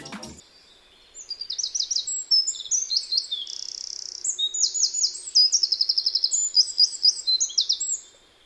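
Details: A Eurasian wren pours out a complex, clear, rather high and surprisingly powerful song of about ninety notes in seven seconds, with buzzy trills midway; a faint click opens it.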